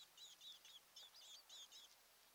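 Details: Osprey pair at their nest on Kent Island, Maryland, on a nest camera, morning of 26 June 2018: three short bursts of sharp, high chirps, each a quick cluster of whistled notes, over a faint steady outdoor hiss.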